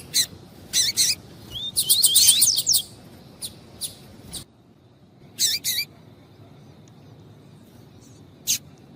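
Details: Double-collared seedeater, a female calling to stimulate the male: clusters of sharp harsh chips and a dense burst of twittering notes early on, then sparse chips after a quieter stretch.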